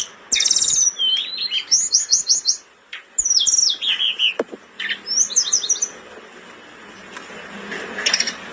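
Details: Blood-breasted flowerpecker in breeding condition, singing vigorously for use as a master recording: very high, thin, rapid trills and sharp ticking notes in short bursts, with a quiet pause partway through.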